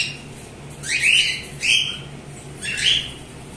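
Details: A group of pet cockatiels calling: three separate harsh, rising squawks, each about a third of a second long, with short pauses between, over a steady low hum.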